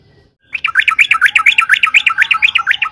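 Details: Vigorous yellow-vented bulbul song used to lure others into singing: after a quiet start, a continuous fast chatter of bubbly, tumbling chirps over about two and a half seconds, with a faint low background hum.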